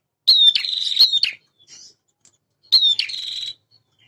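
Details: Bar-winged prinia, a male in strong song: two long phrases, each starting with a piercing falling note that runs into a fast, scratchy, buzzing trill lasting almost a second, with a short gap between them.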